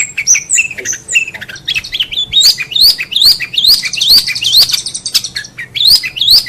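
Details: Long-tailed shrike song, recorded as a master for tutoring songbirds: rising slurred whistles repeated roughly every half second over a busy background of high chatter.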